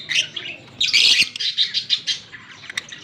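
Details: Green pair of Fischer's lovebirds recorded October 16, 2023, giving shrill, high chirps and scratchy chatter in short bursts, with a louder busy outburst near the middle and quick sharp notes at the end.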